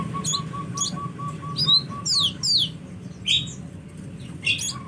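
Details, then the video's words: Sunbird, locally kolibri, uttering scattered high sweeping chirps and short downslurred notes, spaced irregularly, over a faint steady series of lower pulsed tones and low hum. "KUMPULAN SUARA BURUNG KOLIBRI"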